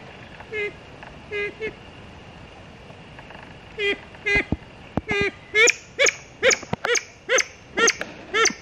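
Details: Siamese fireback pheasant, national bird of Thailand, at Sakaerat Biosphere Reserve; short harmonic nasal notes, sparse at first, then quickening into a steady series of about two per second.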